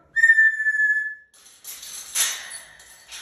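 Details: A 2-year-old grey parrot in time-out, wanting to come out, gives one clear, steady whistle lasting about a second and falling slightly at the end. Rustling and scraping noises follow.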